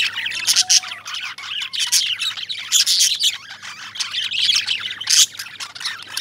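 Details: A flock of lovebirds keeps up busy, piercing chirps and squeaky squawks, a steady overlapping high chatter with louder peaks around every second.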